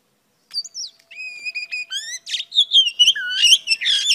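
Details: Song of a female Oriental Magpie Robin, given to stimulate a male. After a silent start come pure whistled notes and buzzy upward slurs, then a quickening jumble of varied warbles and chirps at about two to three notes per second.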